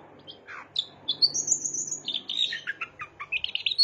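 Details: Long-tailed shrike singing with mimicry of bar-winged prinia: scattered high chirps and a sustained thin whistle, followed by a run of quick sharp notes rising toward the end, with faint background hum.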